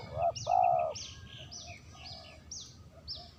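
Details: Spotted dove calling, a lure recording: one soft short coo runs straight into a longer, steady, hollow coo, loudest at the start. After it comes a series of high, quick, downslurred chirps from another bird, about every half second.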